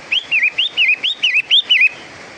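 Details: Long-tailed shrike, known locally as pentet matahari, singing a therapy song: loud, clear whistled notes, each a quick upslur or wavering slide, given in pairs about three per second, seven notes in all, with little background noise.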